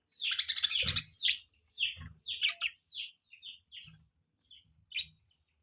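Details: High, squeaky budgie chirps start as a loud tumbling chatter, then thin out into separate short tweets with gaps between them.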